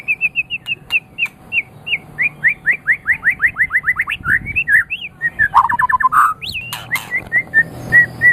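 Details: White-rumped shama song for training pet birds: long series of short repeated whistled notes gradually quickening, then rising and falling slurred whistles and a fast burst of notes.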